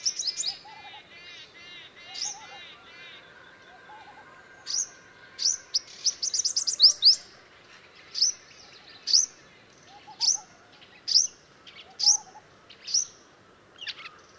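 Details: Purple-rumped sunbirds, a pair nesting in Sri Lanka: a fast burst of high twittering notes, then sharp, high chips about once a second, with softer lower chirps from other birds behind.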